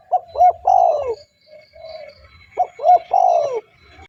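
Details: Spotted dove calling to lure other doves, two quick rounded coos followed by a long falling coo, the phrase given twice with soft cooing between.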